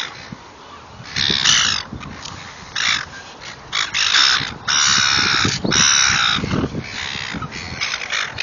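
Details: Noisy seagulls at a feeding: loud, rasping, cawing squawks in drawn-out blasts of about half a second to a second, many birds calling over one another, with a low rumble of background noise.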